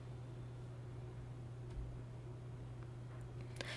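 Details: A quiet low electrical hum with faint rustles, ending in a brief sharp knock.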